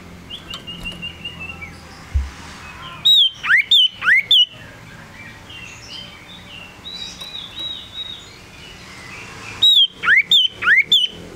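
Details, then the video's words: Lively, tame male cipoh (Common Iora) delivers two bursts of loud high whistles, each a set of four strong notes that drop then sweep upward, separated by quieter faint whistling and low background noise. "Suara Sirtu Jantan !! Burung Sirtu Cipoh Sirdung Sirdum Jantan Terbaru"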